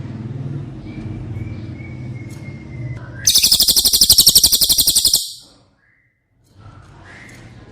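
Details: Cililin song meant as training audio for caged White-rumped shama: a steady low hum and a faint descending whistle, then a two-second rapid, high, buzzy trill, then quiet background noise.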